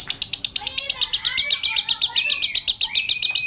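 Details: Lovebird in nonstop chattering song: rapid harsh, buzzy high notes pulsing about four times a second without a break, with fainter lower rising whistled tones running beneath.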